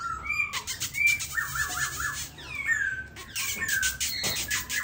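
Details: Captive silver-eared laughingthrush clinging to its cage sings a rich, varied run of clear whistles, slurred rising and falling notes and quick chattering phrases, almost without pause.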